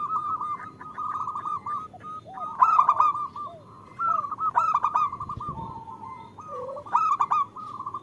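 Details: Zebra dove female call to the male, played to lure males into singing: dense overlapping staccato coos with repeated loud rough bursts and softer low arching notes, nearly continuous throughout.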